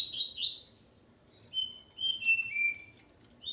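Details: Male Coleiro, with his female nearby, opens with a rapid tumble of rising buzzy notes, then a series of clear whistled tones, each slightly lower than the last.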